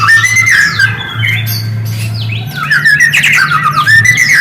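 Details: Lure song of a white-rumped shama meant to provoke quiet shamas into answering: loud, rich whistled phrases rising and falling, with dense chattering notes in the second half and a low constant hum.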